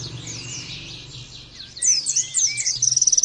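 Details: Oriental white-eye training recording: soft, blurred high warbling gives way to louder sharp twitters, a few lower slurred whistles and a fast string of clipped chirps at the end, with a low steady hum.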